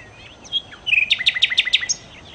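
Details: Nightingale, known locally as sikatan londo, singing: a brief run of about six sharp, high, evenly spaced notes that follows a few scattered thin chirps, with no other sounds clear.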